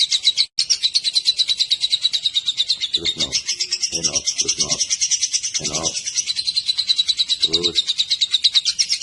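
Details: Lovebird giving its drawn-out 'ngekek' chatter, used to make other lovebirds answer: a continuous stream of quick, shrill, rasping pulses for nine seconds, with a few short low-pitched thumps or voices breaking in midway.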